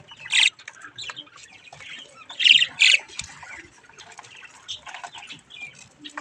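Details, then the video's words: Budgerigar chicks playing in front of a mirror: a loud raspy squawk at the start, two more in close succession after two seconds, with softer chattering notes between. "Budgies chick's mirror fun time"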